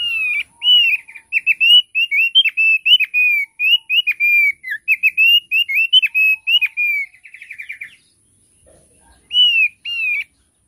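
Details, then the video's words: Thick-billed heleia song: a long run of clear whistled notes around a steady pitch, each with a short flick, repeated rapidly for about seven seconds, ending in a brief trill, then two more whistled phrases after a pause. "Suara Opior Paruh Tebal"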